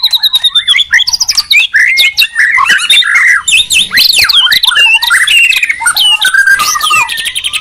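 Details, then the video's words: White-rumped shama duel between Medan and Borneo birds: rapid stream of sharp chirps, squawky notes and swooping whistles, rhythmic clicking pulses at the start, intense overlapping song. "Murai batu gacor medan vs borneo duel dahsyat"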